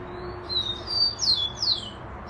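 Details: Rufous-collared sparrow song: a soft, steady high whistle, then a longer level note and two bright, sharply falling whistles, clear above quiet background noise.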